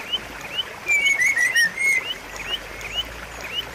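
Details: White-rumped shama song, offered as a lure for a shama that has stopped singing: a few loud, clear descending whistles in the middle, surrounded by soft, steadily repeated upslurred chirps.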